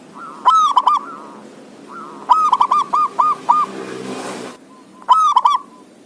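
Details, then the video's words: Zebra dove song played as a lure to get lazy doves singing: three bursts of rapid, rolling cooing notes, each phrase a quick string of hollow, arched coos, with a short hissing noise burst between the second and third. "Suara Perkutut gacoor pas buat pancingan perkutut yg malas bunyi"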